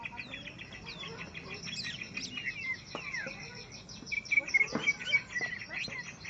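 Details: Greater green leafbird facing a combat opponent: a fast stream of high, thin chirps and trills, with bright whistled notes and quick sliding phrases that grow louder toward the end.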